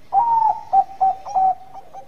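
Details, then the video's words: Actively singing Bangkok zebra dove delivering bekur cooing that invites rivals to respond. A drawn-out, slightly falling whistled coo followed by three or four short, loud, ringing notes in quick succession, then a softer trailing note. "Perkutut Bangkok Gacor Suara Bekur Pengundang bunyi lawan"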